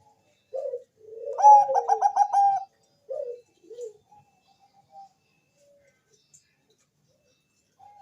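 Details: Bangkok zebra dove giving a lure song to prompt other doves to sing: an opening coo leads into a fast rolling trill of low cooing notes, then a few short soft coos trailing into near silence.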